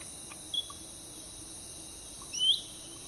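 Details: Black-headed Bulbul gives two brief high whistled notes, the second sliding upward, over a steady shrill insect drone, by a roadside where birds are being trapped with a cage, possibly in Sumatra.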